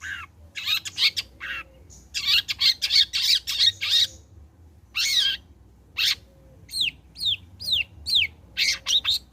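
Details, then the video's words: Long-tailed shrike singing as a lure for other shrikes: bursts of harsh squawky chatter, a short pause, then a string of clear downward-curving whistled notes and more scratchy phrases. "Burung Cendet Gacor Selepas trotol PANCINGAN CENDET AGAR BUNYI"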